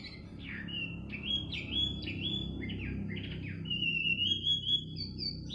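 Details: Melodious midnight bird song with rapid, jerky whistled phrases that jump between pitches, ending in a longer level whistle, over a soft low rumble.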